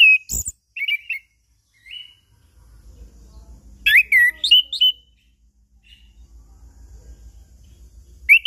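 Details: Chestnut-capped thrush singing to prompt silent birds: spaced whistled phrases, a burst of tumbling slurred notes in the middle, and a final loud whistle, with quiet gaps and faint low rumble between.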